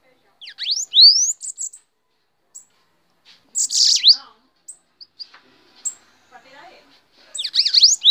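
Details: Tame bananaquit singing while perched on a person's hand: three bursts of thin, high, rapidly rising sweeps and buzzy squeaky clusters, separated by short pauses, with faint low murmurs between the bursts.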